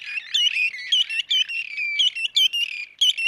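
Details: Red-and-white barbet, known in Somali as dhiirran, recorded in Somalia. It gives bright, chattering, high-pitched notes in quick, uneven bursts of roughly one per second, over a steady, squeaky background chatter.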